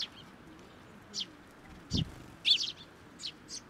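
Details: Sparrows taking food from a hand at a Tenmangu shrine in June 2024; irregular high chirps, with a brief low thump near two seconds and a loud chirp cluster after it.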